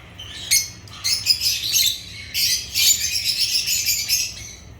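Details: Agapornis lovebirds giving sharp squeaks and scratchy, buzzy chirps, building into a sustained shrill chatter in the second half.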